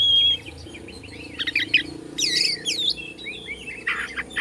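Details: Kacer (Oriental magpie-robin) from Bandung, Indonesia, singing to provoke rival birds: scattered high whistled notes and short chattering bursts over a steady low hum, with a louder burst of buzzy, swooping phrases midway.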